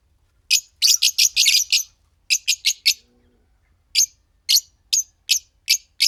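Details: Two green Fischer's lovebirds singing and chirping: a dense rapid volley of screechy high chirps, then a short series of four, a pause, and evenly spaced single shrill notes.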